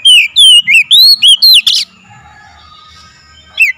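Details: Oriental magpie-robin lure song, played to make a bird start singing: six or seven loud whistled notes in a fast run, then a harsh burst and near silence with a faint hum.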